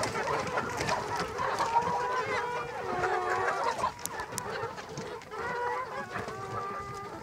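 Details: Domestic layer chickens kept for eggs or meat keep up a continuous chorus of drawn-out, quavering clucks and moans from many hens, briefly broken by a couple of sharp clicks.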